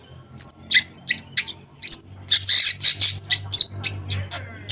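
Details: Long-tailed shrike lure song for shrikes that have gone quiet: a busy string of sharp high chips and scratchy notes that quickens into rapid harsh bursts, over a steady low hum.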